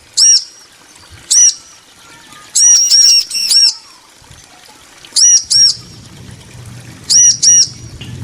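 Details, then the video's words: Bar-winged prinia male and female answering each other with sparse bouts of piercing chirps, single or in tight clusters of three or four, separated by quiet gaps; a low hum rises near the end. "Ciblek betina & Jantan saling nyaut"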